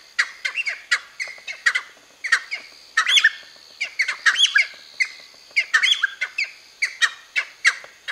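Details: Cheer pheasants, seven birds near Nainital, give harsh, squawking calls repeated in rapid, uneven bursts about every half second, several voices overlapping, with no other clear sounds.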